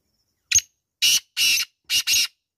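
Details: Black francolin's loud rasping phrase: a single clipped note, then two drawn-out harsh notes, then a quick pair of grating notes, delivered in about two seconds against silence.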